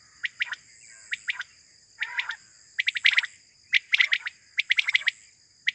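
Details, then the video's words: Quail in the morning, a call used in hunting: clusters of rapid, dry chirps in runs of three or four, broken by brief gaps, over a steady high-pitched tone. "batair sound for hunting || quail moring sound 2023"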